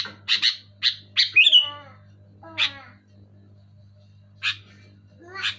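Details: Sooty-headed bulbul in loud, clear voice: a quick run of harsh chirps ending in a rising squeal, then a few spaced nasal notes and scratchy calls, with a faint low hum behind.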